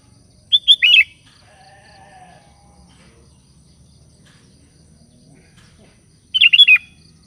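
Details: Sooty-headed bulbul (kutilang) calling companions: a quick bubbly phrase of about four chirped notes, then a quiet gap with a faint thin whistle and low background hum, and a second matching phrase near the end.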